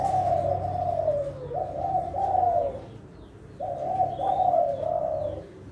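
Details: Kelantan-strain spotted dove breeding bird in full contest-class song: long, soft, gently falling cooing phrases, two bouts about two seconds apart, each with a hump and downward slide, over a constant low droning hum.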